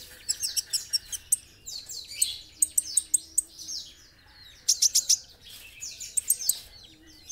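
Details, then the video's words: Chatty olive-backed sunbird (kolibri ninja) in a training tutor recording: fast, irregular high twittering of shrill chirps and thin descending trills, delivered in clustered bursts. "masteran kolibri ninja gacor"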